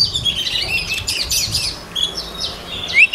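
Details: White-rumped shama song used for voice training: a dense run of high, rapid twittering and warbled notes, ending in a sharp rising whistle.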